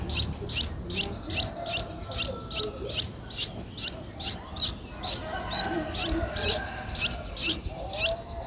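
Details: Nine-day-old Streak-eared Bulbul nestlings at Ubon Ratchathani, Thailand, on 11 April 2023: harsh, raspy high bursts repeated about two to three times per second in a steady train, with faint lower background noise.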